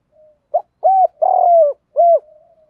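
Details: Spotted dove cooing, male and female calls used to lure and train birds: one complete phrase of a clipped note, an arched hoot, a long grainy coo and a final falling hoot, with a faint hum before and after.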